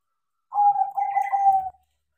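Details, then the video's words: Taught crossing zebra dove in full song: a single trilled, bubbling coo phrase of rapid notes held at one low pitch, with a faint higher overtone partway through. "PERKUTUT CROSSING GACOR KARENA DIAJARI"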